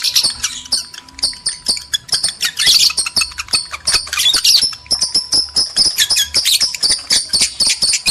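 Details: Lovebirds, male and female, giving breeding-arousal chatter: dense shrill high chirps in fast irregular bursts, with a few harsher squawky clusters near the middle and a steady faint hum beneath.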